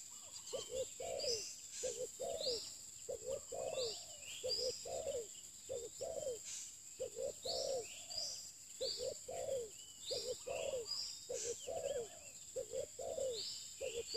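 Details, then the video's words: Continuous bouts of soft, throaty cooing from a spotted dove kept for luring. The double and triple notes are repeated rapidly. Chirping birds are in the background, along with a constant high-pitched hum. "pikat terkukur"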